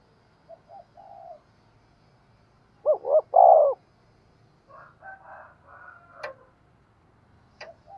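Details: Spotted dove calling, kept as a lure to draw in wild birds; faint soft coos, then a loud three-part coo around the third second, later softer murmured notes and two sharp clicks.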